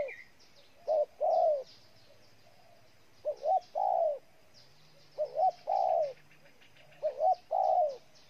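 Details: Spotted dove from Ninh Thuận, Vietnam, repeating a three-part coo phrase about every two seconds: two quick clipped notes then a longer hollow coo, with faint chirps of other birds.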